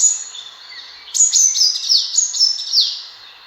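A sunbird gives very high, thin twittering notes. After a faint opening note, a rapid run of short, downward-slurred chips follows, several each second, with no other sounds.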